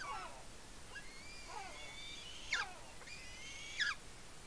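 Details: A young eagle eating fish at its nest on Smola, Norway, 7.12.18, squeeing with excitement. Soft, thin, drawn-out high whistles with quick falling tails at their ends, fairly quiet against a steady hiss.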